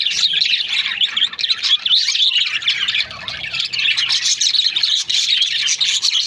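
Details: Many budgerigars, Australian parrots in breeding pairs, twitter and chirp constantly, with high squeaky warbles and short rasping notes layered over one another; a faint low hum shows in places.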